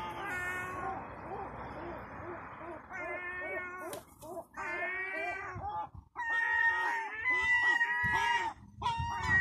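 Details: European herring gull chick of two to four months begging for food, giving harsher, buzzier wailing calls rich in overtones, in quick irregular bursts roughly once a second, some rising whistles toward the end, with low background noise.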